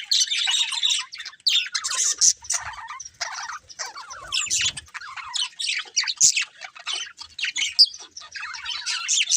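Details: Two budgerigars chirping in short bursts of scratchy warbling and sharp squeaks, separated by brief gaps, with faint low knocks near the middle.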